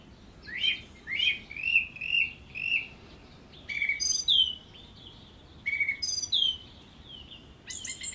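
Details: Song thrush pouring out song: four similar short notes in quick succession, then a pair of matching louder phrases with high sweeping whistles, ending on a fresh high figure.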